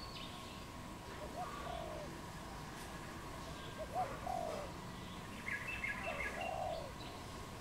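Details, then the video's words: Wild dove in Cambodia in April giving scattered soft low coos, short notes and drawn-out hoots, while other small birds chirp higher and a constant hum runs underneath. "សត្វលលក | Dove, นกเขา"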